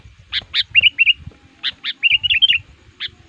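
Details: Lure sooty-headed bulbul singing aggressively at a rival, used to attract wild forest males. Sharp high chip notes alternate with short bubbly, whistled phrases, with some low background rumble.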